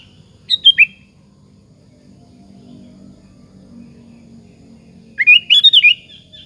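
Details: Sooty-headed bulbul song used as a lure to make other bulbuls answer: two brief bubbly, warbled phrases about four seconds apart, quiet in between apart from a faint low hum.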